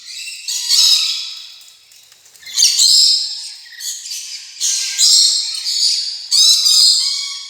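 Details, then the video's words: Rainbow lorikeet chatter made of loud, grating screech bursts about once a second, separated by short quieter gaps, with some thin whistled overtones beneath. "PARROT CHATTER, 오색앵무새"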